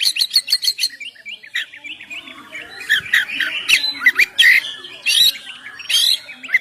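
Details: Oriental magpie-robin singing ngeplong to lure birds: a quick run of sharp ticking notes, then a busy jumble of scratchy chatter and squeaky whistles.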